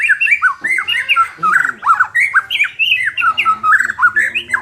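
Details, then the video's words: White-rumped shama song played to boost a less competitive bird; loud chattering series of sharply rising and falling whistled notes, dense and continuous, in a small room. "suara ini dapat mengatasi murai batu kurang ngotot"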